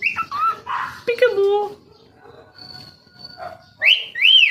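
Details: A tame talking cockatiel chatters in raspy, speech-like mimicked phrases, then gives bright rising and falling whistles.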